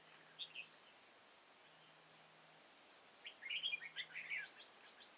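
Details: During trapping on 15 October 2018, an old wild red-whiskered bulbul, tall-crested and dark-bibbed, gives a quick warbled note pair, then a longer rapid chattering phrase, against a constant thin high-pitched whine and soft pulsing hum.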